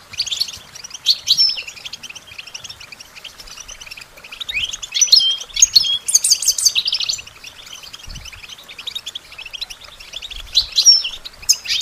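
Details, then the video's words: European goldfinch song meant to train songbirds: long runs of fast, tinkling twitters with occasional sharp whistled slurs, the loudest bursts in the middle and at the end, with busy chirping background. "Goldfinch Training With Stimulating Support for Songbirds"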